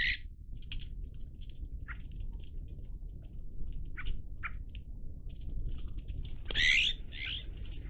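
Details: Iberian magpies, dated 03-10-20: spaced short chattering notes from several birds, then a louder, longer, wheezy harsh call near the end, over quieter low background noise.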